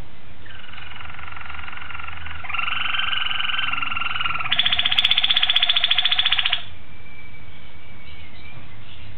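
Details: Malinois Waterslager canary, recorded 26 October 2012, delivering continuous rolled tours. A soft trill swells into a loud throbbing roll, then shifts to a higher, faster bubbling roll before breaking off, with low background hum throughout.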